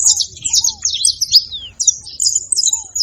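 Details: Saffron finch giving a short bout of high, smeared chirps and one falling slurred note, followed by a brief pause and more high notes. Soft lower whistles are heard now and then.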